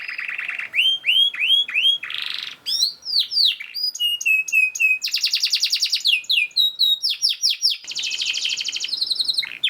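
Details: Fast, tightly packed canary song meant as master training for other canaries: rapid rolling trills alternate with repeated downward-swept whistles and sharp high chips, changing phrase every second or so, almost without pause.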